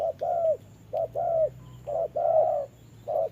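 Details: Trapping decoy spotted dove fighting a wild bird in rainy weather, giving paired coos: a brief note followed by a longer, slightly falling one, repeated about three times against a low background hum.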